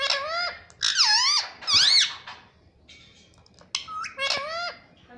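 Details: Talking parrot that says mummy and papa gives loud, clear, voice-like phrases: bending, rising and falling tonal syllables in two groups separated by a short, quieter, raspy pause, recorded indoors.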